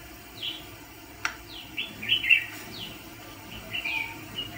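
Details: Caged decoy red-whiskered bulbul for luring fighting birds delivers a run of lively slurred whistles and chirps, some phrases dipping down, with a sharp click near the start.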